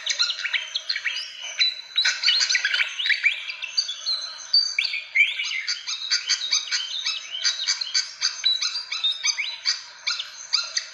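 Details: Fantail calls meant to lure birds in: a long, unbroken run of high, squeaky chips and short whistles, busy and tumbling, with no other sounds.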